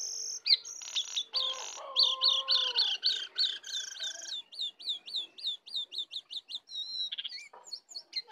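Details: Wild and caged sooty-headed bulbuls clash in song, full of fill phrases. Loud, rapid high notes repeat several times a second, opening with sustained whistles and lower gliding tones, then a quick chain of hooked chirps.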